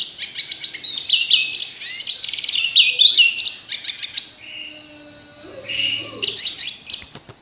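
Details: Orange-headed thrush in a dense run of rapid, bright chirps and rattles, followed by steadier high whistled notes and a final flurry of sharp calls.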